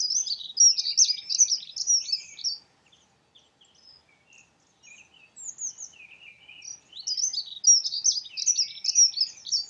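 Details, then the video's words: Singing dunnock: two bright, rapid, jangling warbled phrases, each about two to three seconds long. They are separated by a quieter stretch with a few faint notes. "Dunnock sings. Heckenbraunelle singt."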